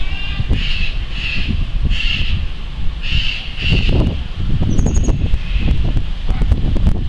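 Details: A juvenile ferruginous pygmy-owl, grounded at dusk after rain on early flight attempts and sheltered overnight, gives short, hissy, raspy calls about once a second over steady low rumbling wind noise.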